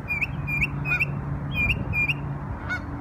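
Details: Bird in New York on Memorial Day repeating slurred high notes roughly every half second, with a faint lower note now and then and a low steady hum beneath.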